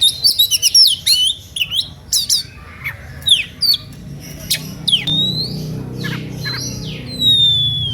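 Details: Oriental magpie-robin singing in an emotional, energetic style meant to provoke rival magpie-robins into singing: rapid varied high whistles, sweeping slides and sharp chirps in quick succession over a low background hum.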